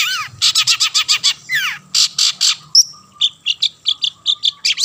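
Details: Singing long-tailed shrike, a kept bird used to lure others into song, gives quick repeated harsh chirps, a downslurred whistle, then a sharp whistle followed by a rhythmic series of short buzzy notes about four per second.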